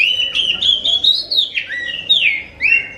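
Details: Oriental magpie-robin song meant to lure other magpie-robins into answering: a continuous, loud, sweet whistled phrase rising and falling in quick slurs, with swooping downward notes and a final upward whistle, over quiet background.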